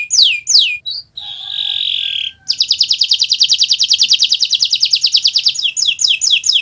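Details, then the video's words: Canary (Kenari Nusantara) song recorded as a tutor for other birds: two swooping notes, a harsh buzzy passage, then a long even high trill ending in downslurred whistles. "Suara Burung Gacoran Kenari Nusntara, untuk Masteran Belajar Bunyi"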